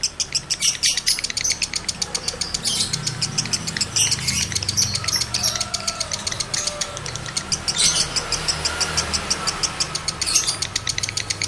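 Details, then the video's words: A breeding male lovebird keeps up a long, dense stream of rapid high chirps with louder bursts at intervals, used to stir other males. A low rumble sits in the background. "Masteran Lovebird Jantan Birahi Tinggi || Pancingan Birahi Lovebird Jantan || Jebol Birahi Jantan"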